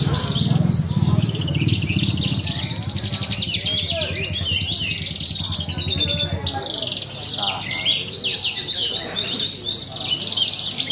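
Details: Australasian bush lark performing in a songbird contest: a dense, continuous high chattering song of rapid trills and buzzy notes, with crowd murmur and low rumble underneath.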